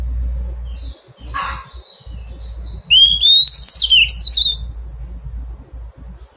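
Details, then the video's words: Newly caught wild Oriental magpie-robin during taming gives a loud whistled phrase that rises steeply, then breaks into a quick descending warble of sharp notes, after softer scattered high chirps and a brief rustle. "Thuần hóa chòe than bổi"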